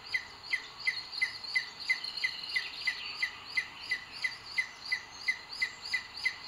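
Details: At a Sierra de Guadarrama nest in Spain, on 2 June 2022, a booted eagle calls as the male delivers food to the female, filmed by a nest webcam. It gives sharp, evenly spaced high notes repeated about three times a second, with a soft hiss behind.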